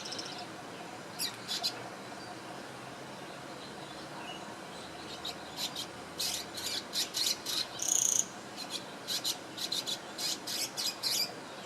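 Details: Swiftlet-like bird in Singapore, 2017, preening between calls; scattered short high chirps and raspy bursts, busiest in the second half, including one drawn-out whistled squeak, over gentle hiss.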